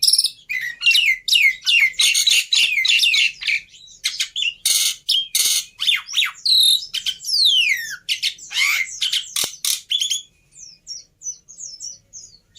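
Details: Black-winged myna in a tutor and lure recording of easily copied song phrases: long, loud, varied outpouring of harsh rasps, squeaky chattering notes and descending whistles, ending in faint high twittering.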